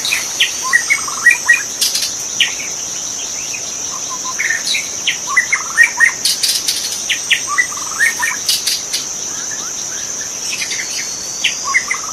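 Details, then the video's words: Wild magpie-robin singing in a forest, recorded as a master song for training birds: varied short whistled and chirped notes in quick bursts, with a steady high buzzing insect drone throughout. "Masteran suara burung murai asli di hutan"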